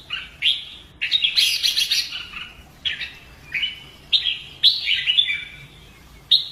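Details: Red-whiskered bulbul in competitive-song training: sharp whistled openings, a rough chattering outburst, then separate ringing phrases spaced about a second apart.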